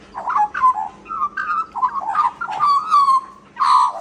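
An Australian magpie gives a run of short, husky, bark-like yelps mixed with warbled whistled notes.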